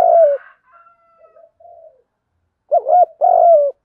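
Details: Spotted dove coo for training birds: a long fading coo trailing into soft low murmurs, a pause, then a crisp warbled double note and a full drawn-out mellow coo.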